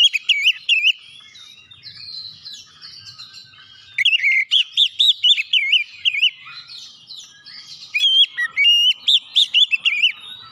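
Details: Lure song of an Oriental magpie-robin, meant to stir silent magpie-robins into song: strong, wavering whistled notes in quick series of five to eight, separated by soft, thin twittering passages.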